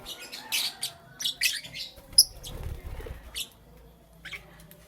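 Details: Morning chirping of a lovebird, scattered high squeaky chirps and short twittery notes spread unevenly, with a soft low rumble in the middle and quieter gaps between calls.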